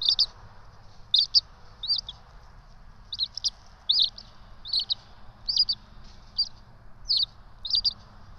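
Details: High, thin chirping from twin bald eagle chicks being fed at the ETSU nest in Johnson City on 12 March 2024; brief squeaky notes come in pairs and clusters roughly every half second, with a low rumbling hum beneath.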